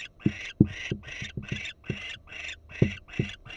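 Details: Barn owl on a Florida nest cam, female watching intently: eight harsh, wheezing rasp bursts in under four seconds, evenly spaced, with heavy low knocks under several of them.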